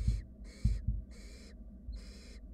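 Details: Wild barn owl nestlings in a nest box, one slowly swallowing a rat: four harsh, breathy snoring hisses in quick succession, with sharp knocks and shuffling sounds between them.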